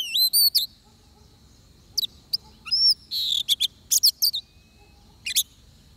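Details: During trapping with a decoy bird, an oriental magpie-robin opens with three rising whistled notes, then scattered sharp chirps and buzzy bursts amid quiet spells.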